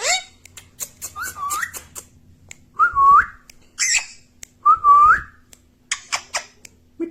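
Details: Pet parrot mimicking speech with hooked whistled phrases roughly every two seconds, each dipping then rising, mixed with soft clicks and rasps.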